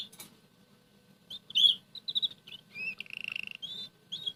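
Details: Red canary singing softly in the morning while eating boiled egg yolk, indoors; short whistled notes, then quick buzzy trills and a rapid pulsed rattle, with faint pecking clicks and a low room hum.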